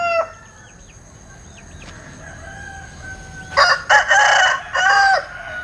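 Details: Linh Kê rooster with a strange crow: after faint distant crowing, a loud close crow of two short choppy notes and a long rough held note, finishing with a brief separate drawn phrase.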